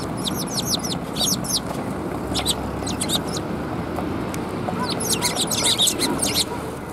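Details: Sparrows coming for food at a Tenmangu shrine, 24 February 2021, chatter in quick clustered chirps, with dense bursts near the start, middle and later, over low steady ambient noise.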